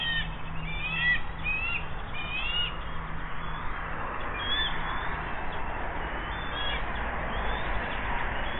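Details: Bald eagles at their nest by the Monongahela River in West Mifflin, Pennsylvania, 8 June 2024. An adult has arrived with a fish and shares it. A few sharp, high chirps and squeals come in the first seconds, then fade into constant low plant noise.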